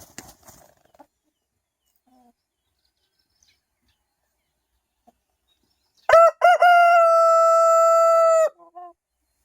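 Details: Rooster crowing in the morning, one of many non-stop crows: after six seconds of near silence with faint clicks, a loud harmonic crow begins with two short choppy notes, then holds one long steady tone for about two seconds, ending in brief soft tails.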